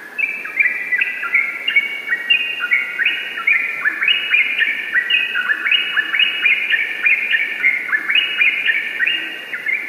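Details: Continuous rapid 'ropel' singing from a yellow-vented bulbul. Layered chattering, liquid phrases tumble downward without pause across the whole stretch.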